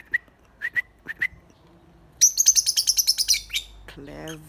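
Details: Birds said to be parrots calling: three brief whistled notes spaced about half a second apart, then a fast burst of about twelve high harsh chirps, ending with a low harmonic whine.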